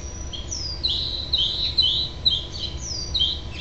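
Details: House finch calls at a nest on 6/12/07 as the last fledgling is goaded by a parent to fly: bright, downslurred chirps, about two per second, over a low steady hum.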